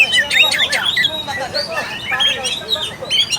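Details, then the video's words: Oriental magpie-robin song played as a lure to provoke a lazy, low-fight bird into singing: dense, varied, overlapping whistles, chirps and harsh chattering notes with fast pitch sweeps, continuing without pause. "PANCINGAN AMPUH UNTUK KACER MALAS BUNYI DAN KURANG FIGHTER."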